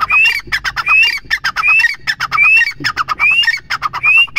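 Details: Female grey francolin, or teetar, calling continuously: rapid harsh grating notes interleaved with rising whistled phrases roughly every three-quarters of a second, loud and close.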